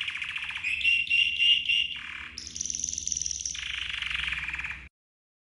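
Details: Red canary training song: a rich bubbling roll, then a high piping trill and a lower buzzy tour, ending abruptly in silence.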